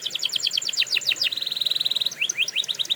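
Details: Canary training song: dense rapid chattering notes, then a steady even trill, then a few rising whistles repeated quickly, all high and clear.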